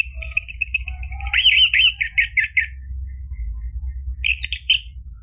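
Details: Orange-headed thrush song used to stimulate a caged bird: a long string of quick repeated whistled notes, slowing into stuttered chips, then a short mixed phrase after a pause, low hum beneath.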